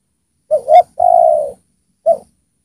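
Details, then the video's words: Well-singing decoy spotted dove luring wild doves down, giving a low three-part coo: two quick short notes then a long drawn, gently falling coo, with another short note starting a new phrase. "Pikat Tekukur Gacor di Turunin Tekukur Liar"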